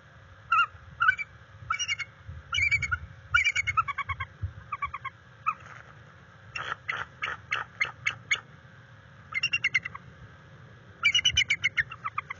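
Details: A resident male and female bald eagle calling at the NCTC nest on 21 February 2022, captured by live cam while mating and guarding territory: repeated rapid chittering series of high, thin notes, some runs fast and dense, with soft wind rumble.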